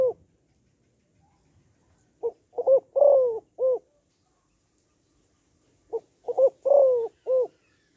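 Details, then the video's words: A female spotted dove calls to stir males, in the gáy gọi, thúc and gù styles. Two clean phrases nearly four seconds apart: brief lead note, paired notes, a drawn-out descending coo, then a clipped closing note. Quiet background. "Tiếng Cu Gáy Giọng Hấp Dẫn ĐỦ BÀI [GÁY GỌI,THÚC,GÙ]"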